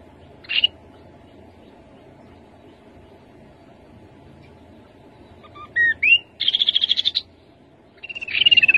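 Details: Rufous-capped babbler song with long pauses: one sharp high note, then after a silence a pair of whistled upslurs, a rapid trill of even notes, and finally a buzzy descending phrase. The setting is quiet apart from the bird.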